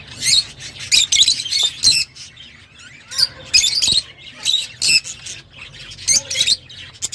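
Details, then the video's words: Lovebirds chattering in rapid, piercing high squawks, grouped into dense bursts about every second, with brief quieter gaps in between. "تغريدروز/صوت روز /Love Bird Sound"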